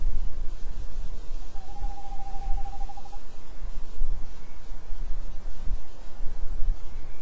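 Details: Tawny owls, a male and female pair, calling on 28 January 2011; one level, faintly tremulous note lasting nearly two seconds rises out of constant rushing noise with low rumbles.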